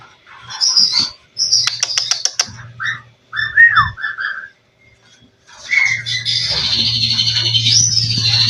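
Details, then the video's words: Caged white-rumped shama of a mutant color form, trained with mimicked song material for competition: sharp rapid ticks, then short whistled phrases, then a long sustained high trill, with a low hum throughout. "Burung murai batu mutasi isian lomba mental fighter"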